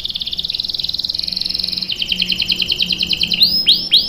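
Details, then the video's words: Canary singing a long roll as a lure for young birds: a fast even trill that shifts into a slower pulsed roll, ending with a few loud sweeping downslurred notes. "KENARI GACOR NGEROL PANJANG"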